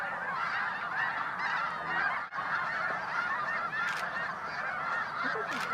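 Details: Snow goose flock at Bosque del Apache National Wildlife Refuge, December, around dawn or dusk: continuous overlapping honks from many birds, with a brief dip near the middle and a couple of sharp clicks.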